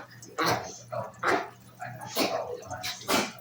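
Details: Lovebird imitating puppy sounds indoors: four short, harsh, broadband yelping bursts at uneven intervals, roughly one every second, with a faint steady low hum in the room.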